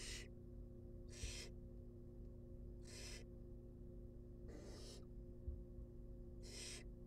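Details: In a nest box, fed wild barn owl chicks utter six hoarse hissing screeches at irregular gaps of one to one and a half seconds, over faint low-pitched droning.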